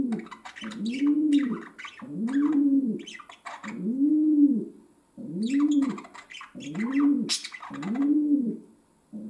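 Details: Domestic pigeon kept as a pet, cooing indoors in a steady series: six rounded, low humming coos spaced about one and a half seconds apart, with scratchy chirps and clicks layered above them.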